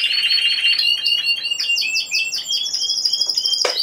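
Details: Timbrado Español canary, a single bird entered in the individual C2 category of a song competition and exhibition on 26 November 2015. It sings rapid rolling trills in the middle register, then climbs into higher metallic pulsed tours and closes with a sharp broad note.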